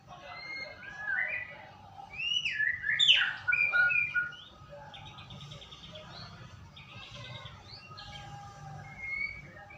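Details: White-rumped shama song played as a lure to get a bird singing: loud, bright whistled phrases in the first seconds, followed by softer buzzy, scratchy trills and a final whistle.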